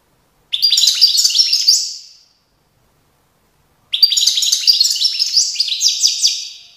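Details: European goldfinch singing, recorded in Tiaret in 2019: two bright, rapid bursts of tinkling, twittering notes, each about one and a half seconds long, separated by silence.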